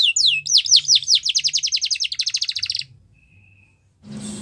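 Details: Russian canary training song: several swooping whistles lead into a rapid, rhythmic trill of even notes. The singing stops near three seconds and a rustling noise follows.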